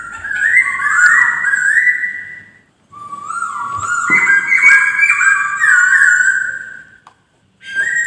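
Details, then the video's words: Two long flowing phrases of loud whistled song from a white-crested laughingthrush, notes slurring up and down and overlapping, ending with a brief pause and a new rising note. "BURUNG POKSAY DENGAN BERKICAU MERDU"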